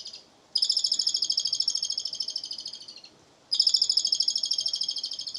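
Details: Laughing-style song of an Asian pied starling: two long bursts of fast, evenly pulsed high chatter, each weakening toward its end, separated by a brief pause.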